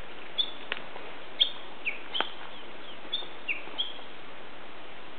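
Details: Hidden Japanese bush warbler in new-leaf mountain woodland, May 2010, giving song just before its valley-crossing phrase: sparse, clipped high notes and brief downward slurs spaced roughly half a second to a second apart.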